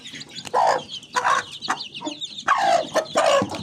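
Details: Mini chickens giving harsh, drawn-out clucking squawks in four loud bursts about every second, each dropping slightly in pitch, with thin high chirping from other birds running in the background.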